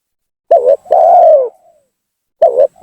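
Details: Spotted dove lure call, used to provoke rival doves into descending: a stuttered double coo followed by a long arched coo that fades downward, then the next phrase beginning.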